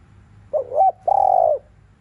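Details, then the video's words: Spotted dove, afternoon, cooing to stimulate other doves: single phrase of a short undulating double note followed by a longer, flat, gently pulsed coo. "CU GÁY THÚC LIU RIU KÍCH BỔI BUỔI CHIỀU"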